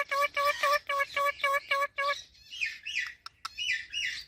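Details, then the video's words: Parrot repeating a steady series of six buzzy, harmonic honking notes, followed by softer, breathy chattering and rasping sounds. "Talking Parrot Natural Sounds"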